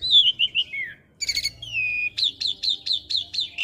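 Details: Asian pied starling song used as a master recording for young birds to copy: descending whistled notes, a buzzy burst, then a rapid series of about seven sharp rising-falling whistles.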